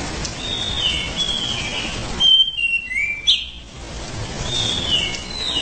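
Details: Orange-headed thrush singing gacor ngerol, a continuous rolling song, in short whistled phrases that slide and warble between middle and high pitch, with a brief pause mid-clip over steady hiss and background noise.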